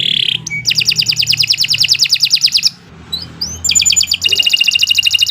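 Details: Canary singing nonstop as a training master for other birds: a short whistled note, then fast buzzy rattling trills of evenly repeated notes, a brief gap, and another rapid rattling trill, over low background hum.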